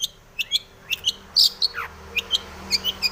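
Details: Long-tailed shrike in breeding condition singing a filled song to provoke other shrikes: scattered high chirps and squeaky notes, one loud bright squeal and a short falling slur.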